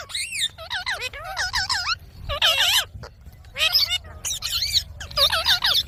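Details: Pet Indian ringneck parakeet talking: short bursts of squeaky, warbling mimicked speech with wavering, bending pitch, delivered in quick phrases separated by brief pauses, with a few shrill squawks mixed in.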